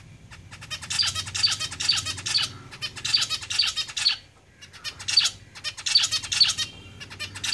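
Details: Caged zebra finches singing: dense bursts of rapid buzzy, scratchy notes in quick repeated phrases, about two per second, broken by brief pauses, loud and close, with a low hum in the background.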